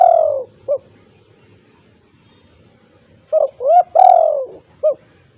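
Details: Spotted dove calling lively in 'kuk 2' style as a lure for silent doves: a long descending coo, a short note, a pause, then two hooked coos, a drawn-out falling coo and a final short note.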